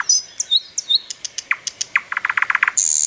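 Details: Bird chirping: high thin whistled notes and short twitters, then a quickening run of sharp downward chips, ending in a bright, sustained buzzy trill.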